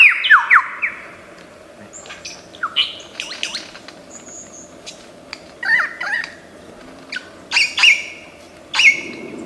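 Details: Lyrebird from Australian forests, known for copying other sounds, delivers scattered squawks, clicks and short whistled notes with flat high tones between pauses.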